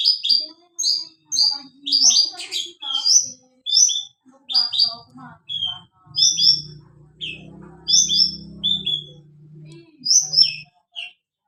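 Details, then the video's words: Javan bush lark dancing on a stone, singing its 'suara kristal' song: high, clear, clipped phrases, often paired notes, repeated about every second, with faint low murmuring voices underneath in the middle. "burung branjangan javanica gacor menari di atas batu suara kristal"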